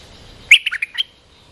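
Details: Short, bright bubbling phrase of about five quick notes from an olive-winged bulbul, with quiet surroundings; the call is played to teach young birds and lure wild birds.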